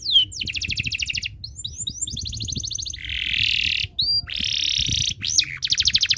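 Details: Canary in breeding condition singing continuously, a song meant to prompt other birds to sing: fast rattling trills alternate with broad buzzy phrases and brief swooping whistles, with steady low background rumble.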